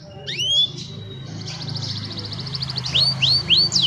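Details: Young canaries singing to coach other canaries; a rising whistle and pure note lead into a rapid even pulsed trill, then loud repeated upslurred whistles about every quarter second, over low hum.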